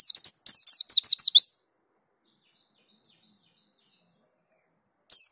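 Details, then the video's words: Rolling song of a dakun white-eye in top form: a short clipped phrase, then a rapid series of sharp high falling notes, a long quiet gap, and a fresh burst starting at the end. "Pleci Dakun Ngerol Gacor Bongkar Isian"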